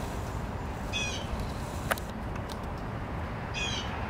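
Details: Male Red-bellied Woodpecker, building a nest in an old tree, gives two short, rolling, slightly burry calls about 2.5 seconds apart, over low wind rumble and a single sharp tap.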